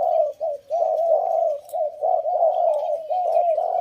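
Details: Captive male decoy Spotted Dove of the Thep Phanom type, just brought out into the open, gives a steady run of low, mellow rolling coos in close-linked phrases with brief gaps, nearly continuous throughout.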